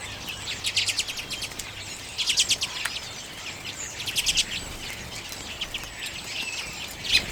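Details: Common redpolls at sunflower seed in late January 2022, filmed on a Canon EOS M50; clusters of quick buzzy chattering notes separated by short pauses, a sharp note at the end.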